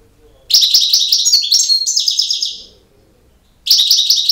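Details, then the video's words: European goldfinch in campero song: a busy two-second flurry of tinkling twitters and buzzy notes, a pause of about a second, then the singing resumes. "El Jilguero BiH 18"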